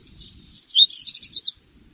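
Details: Close black redstart song phrase: a sustained high thin note sliding into a rapid rattle of about eight scratchy pulses, ending abruptly.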